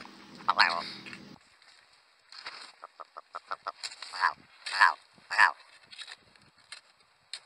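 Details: A rock ptarmigan, an Arctic bird of extreme northern habitats, gives a dry, croaking rattle of short clicks building into louder, harsher bursts about twice a second; a voice speaks briefly at the start.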